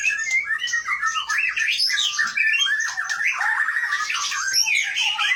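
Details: Caged competition white-rumped shama from Gayo Lues, Aceh, Indonesia, of Gunung Leuser stock, delivering a continuous ngerol rolling song: dense, fast warbled phrases and sweeping whistles jumping between low and high notes without pause.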